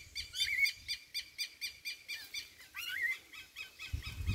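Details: Young rufous-bellied thrush recorded 28 November 2022, calling in a regular rhythm of short, hoarse, harmonic notes about four per second, with a couple of brief squeaky whistled slurs mixed in and a low thump near the end.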